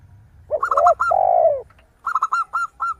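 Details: Zebra dove singing actively with a crystal-clear voice: a quick burst of short, bright, high coos at 0.6–1 s and again at 2.2–2.9 s. A lower, drawn-out, falling coo from another dove fills the gap between them.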